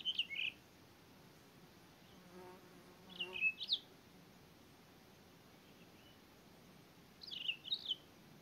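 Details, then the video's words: Townsend's solitaire gives short bursts of high, clear whistled notes about every three to four seconds, with a low insect-like buzz between them. "Townsend's Solitaires"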